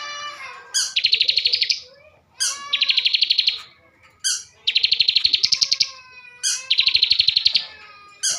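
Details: Captive bar-winged prinia from Slawi, Tegal, Central Java, singing a busy song rich in fill phrases: four loud, high buzzy trilled bursts with pulsing notes, about one every one and a half seconds, each opened by a sharp chip.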